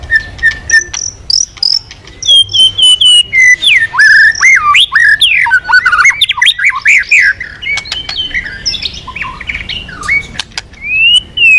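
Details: Energetic white-rumped shama song used to make other birds sing: a dense run of sweeping whistles and harsh squawky notes that jump up and down in pitch, recorded in a small room.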